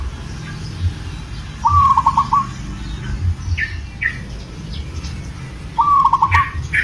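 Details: Local zebra dove in breeding condition calling to a female: two short rapid trilled coos, each a stuttering run of notes about a second long, several seconds apart, with faint higher chirps from other birds and low background rumble.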